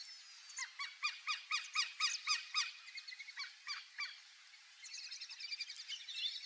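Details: Black-bellied whistling-duck by a lake; a series of clear whistled notes, about four per second, falls off, then a quicker, fainter twittering run follows.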